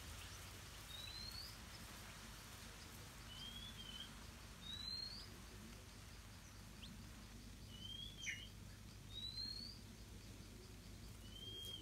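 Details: Stripe-throated bulbul parents guarding a nest of hungry hatchlings, Southeast Asia: about seven thin, rising whistled notes spaced a second or two apart, set against steady low outdoor noise.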